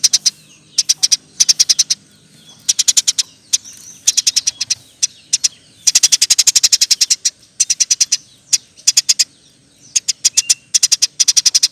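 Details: Eurasian tree sparrow in continuous song used as a training recording for other birds: rapid trains of sharp, high chirps in quick bursts with short pauses, repeated through the whole stretch.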